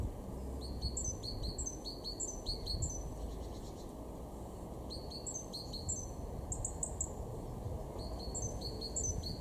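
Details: Great tit, a garden bird in Weener, East Frisia, far northwest Germany, March 2023, singing bouts of repeated high two-note phrases separated by short pauses, over faint low-pitched background noise.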